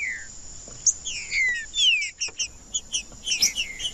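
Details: Green-winged saltator giving scattered whistles, a few sliding clearly downward, mixed with short higher chips, over a steady thin background tone.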